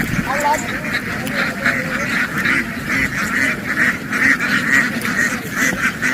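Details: Farm ducks dashing into water and quickly back onto land in a field make loud, rough calls about twice a second, uneven and continuous, against a constant high background hiss.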